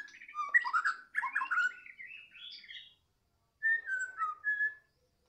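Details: Afternoon song of a White-rumped shama, Medan type: a dense burst of varied whistled and slurred notes rising to a high squeak, a short pause, then a brief descending whistled phrase.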